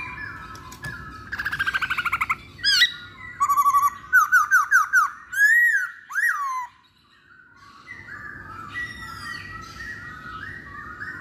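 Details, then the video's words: Masked laughingthrush (poksay hongkong) singing in a lure recording: a rapid buzzy trill, then a run of loud looping whistled notes about twice a second, a brief pause, and softer bubbling chatter. "Pancingan Poksay Hongkong"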